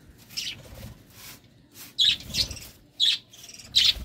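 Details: Courting budgerigars give sharp, squeaky chirps, four loud ones in the second half spaced roughly a second apart, over faint background rustle.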